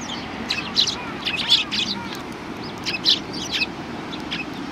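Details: A group of sparrows at a Tenmangu shrine, 7 January 2019, greeting visitors: soft, scratchy chirps and short twitters in small clusters, fading toward the end against a steady low murmur.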